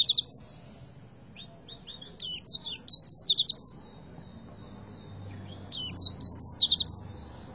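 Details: Oriental white-eye in tembakan singing style: high, thin twittering bursts of fast rising-and-falling notes with rapid trills, in three phrases separated by pauses, over a faint low background hum.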